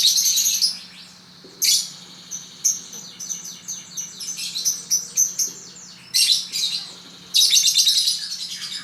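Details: Pet lovebird song: loud harsh chattering bursts alternating with long runs of quick high twittering notes and squeaks, uneven in rhythm.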